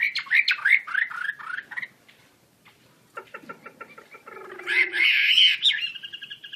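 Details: Chinese hwamei of the wambi kembang type, singing with wings spread: quick slurred whistles, then a pause, a rapid series of buzzy clicks and a harsh, noisy rasping burst that ends in a thin whistle.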